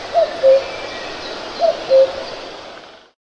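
A cuckoo gives its falling two-note 'cuck-oo' twice, about a second and a half apart, over a steady background hiss.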